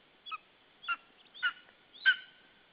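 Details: Lesser spotted eagle at a nest with a chick hatched 11 June, Estonia, caught by nest camera on 19 July 2013 around midday: four loud yelping notes about half a second apart, each sliding downward with a clear overtone, the last longest and strongest.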